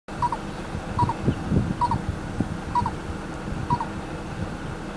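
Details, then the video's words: Lesser coucal (Centropus bengalensis javanensis) near a house in Bacolod, Philippines gives short, hollow paired notes, repeated roughly once a second, over a steady low rumble of background noise. "Lesser Coucal (Centropus bengalensis javanensis) - Bird call recorded"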